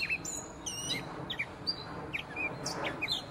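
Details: Song of a gray catbird: a varied string of mewing slides, clipped squeaks and brief whistles following one another quickly, with soft background hiss throughout.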